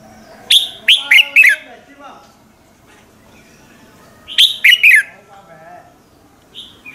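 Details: Red-whiskered bulbul morning song, played as a lure to make other bulbuls sing; two matching phrases of four rapid, sharp notes sliding downward, separated by a few seconds of quiet with faint background sounds.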